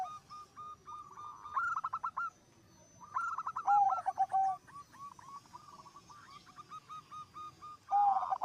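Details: Energetic song of a zebra dove (perkutut), said to prompt other zebra doves to sing along; repeated phrases of soft coos breaking into fast pulsed trills, about fourteen per minute, with a low steady hum beneath.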